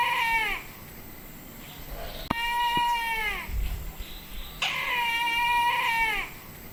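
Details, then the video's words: Resident Brahminy kite recorded in Indawgyi Wildlife Sanctuary, Kachin State, Myanmar, giving three plaintive, harmonic mewing calls spaced roughly two seconds apart, each sustained and tailing off downward, with quiet gaps and a couple of clicks. "စွန်ခေါင်းဖြူ Brahminy Kite (Haliastur indus) ၏ သာယာသော အသံ"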